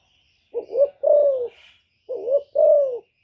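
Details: Hen spotted dove cooing to arouse males: two double phrases of low hooting, a brief upward-bending note followed by a drawn-out, gently falling coo, separated by half a second of silence.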